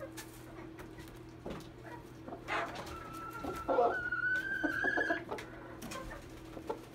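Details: Red junglefowl paired with a domestic chicken: a long, even, strained crow held steady for about two seconds, preceded by a short rough note, with knocks and a constant low hum behind.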